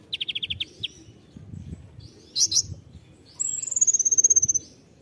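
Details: Tembakan-style song of a konin: a quick burst of seven sharp chips, a pair of buzzy rasping notes, then a long rapid series of high whistled notes that slowly fall in pitch.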